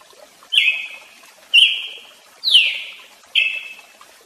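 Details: Four emphatic chip notes from a Brazilian tanager, spaced about a second apart. The third sweeps down from a higher pitch, while the others hold a steady ringing tail.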